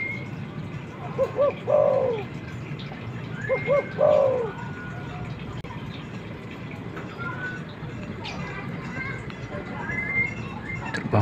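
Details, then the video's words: Male spotted dove calling to a female, used to attract wild birds. Two phrases of paired short hoots ending in a long falling coo, then near silence with faint distant chirps. "suara burung tekukur ini!!!ampuh mengundang burung liar pendekat"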